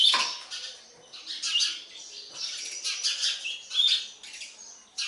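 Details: Sparrow young being fed call in scratchy, squeaky chirps, rising and falling in intensity, with several loud bursts and quieter stretches between.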